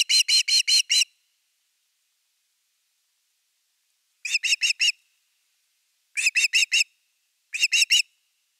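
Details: Osprey at nest #3 on a Finnish live nest camera, evening fish, 30 August 2021: four short bursts of shrill, whistled piping notes, four to five quick notes each, separated by silent gaps.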